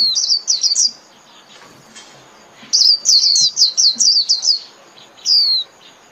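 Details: White-eye calling the flock with thin, high, sweet twitters in short rapid strings. A run of five notes is followed by a pause, then a longer run of about eight, then one last falling note.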